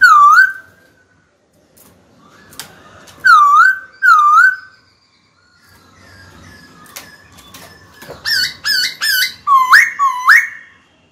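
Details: White-cheeked laughingthrush kept in a cage, singing to call a rival to fight: three loud dipping whistles spaced about a second apart, a quiet gap with clicks, then a rapid run of sharp rising whistles.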